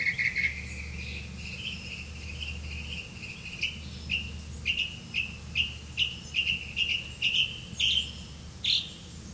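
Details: Grey-capped greenfinch, adult catching crickets to feed its young; short chirps repeated roughly twice a second, bright and slightly buzzy, steady over low background hum.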